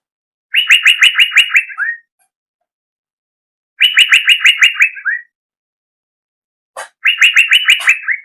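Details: Greater green leafbird song: three loud phrases of rapid, rolling, repeated chirping notes, each about a second and a half long and ending in a short falling slur, separated by clean silent pauses.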